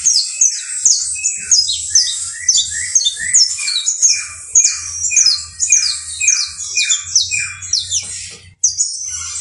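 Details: Canario basto criollo (saffron finch) song: a fast series of high descending whistled sweeps repeated in tight groups, each drop slurring downward, with a few lower notes and a sudden break near the end.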